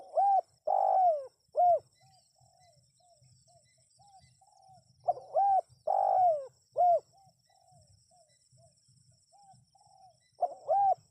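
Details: Spotted dove calling, used to draw wild birds into responding: pairs of loud, hollow coos, each phrase of three to four notes repeated about every five seconds, with faint low rumbling between phrases.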